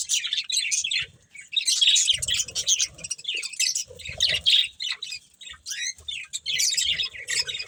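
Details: Budgerigars, a breeding pair, chirping as they eat: choppy bursts of high, scratchy chatter separated by short silences, with faint low thumps under the louder bursts.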